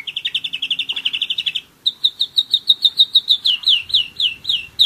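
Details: A one-year-old German Roller-split canary sings a rapid, even trill of clipped notes, breaks off briefly, then launches into a steady run of quick slurred notes that turn into swooping downward whistles near the end.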